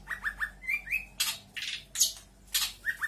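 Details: Local Lampung long-tailed shrike giving mimicked calls: short rising whistles repeated three times, two longer rising slurs, then harsh noisy bursts and more rising whistles.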